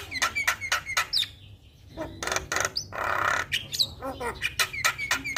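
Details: Javan myna full song to get a silent myna singing, with clusters of sharp chips, broad harsh rasps, a short upward whistle, and more chips resuming.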